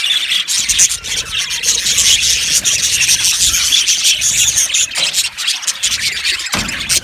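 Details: A budgerigar colony in an aviary, chattering nonstop: a dense wash of overlapping high chirps, squeaks and warbles, with occasional louder squeals standing out.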